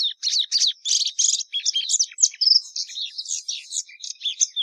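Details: Patativa verdadeira (plumbeous seedeater) pouring out a rapid, varied song of buzzy chirps and slurred whistles, about three notes per second, with no gaps.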